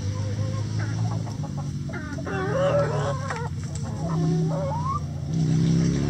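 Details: Chickens in a coop clucking busily, several birds overlapping with short choppy notes and a drawn-out rising squawk, over a steady low mechanical hum.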